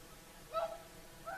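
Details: Whooper swan on the shore of Finland's Lake Saimaa at sunset, giving one strong nasal honk followed by a fainter, softer answering note about half a second later.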